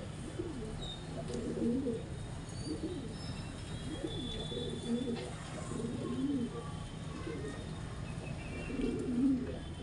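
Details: Pigeon during mating, urban setting on rooftops or branches; low, soft rolling coos repeated roughly every one to two seconds, modulated phrases over a steady low hum, with faint scattered clicks.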